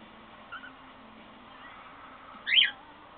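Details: A newly hatched cockatiel chick, with another egg still hatching, gives faint soft chirps, then one loud, harsh, rasping squeak.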